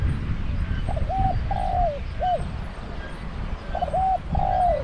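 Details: Spotted dove used as a decoy bird at a trap enclosure in Thailand, with a deep voice. It gives two hoarse, mid-pitched cooing phrases, each a short coo, a longer drawn-out falling croo and a brief final note, over steady low rumbling background noise.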